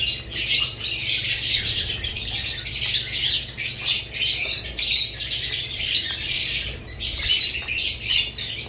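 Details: A crowd of budgerigars, lovebirds also mentioned, chattering nonstop: overlapping shrill chirps and harsh squawks that swell and dip without pause.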